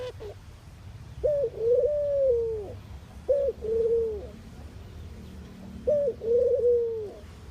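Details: Mourning dove cooing: three low, mellow coos, each a short rising opening note followed by a long, drawn-out sliding tone, repeated about every two and a half seconds over faint low background rumble.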